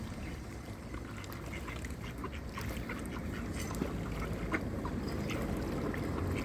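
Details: Cold evening feeding of a hungry flock of village ducks in Flintshire, Wales: quick, repeated short quacks from several birds over a steady low rumble of movement and water.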